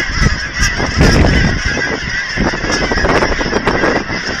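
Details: A huge flock of geese, thousands strong, being fed by visitors with children at an aquatic center in Hereford, Texas; dense, overlapping honks and harsh calls sound continuously from many birds at once, forming a loud, constant clamor.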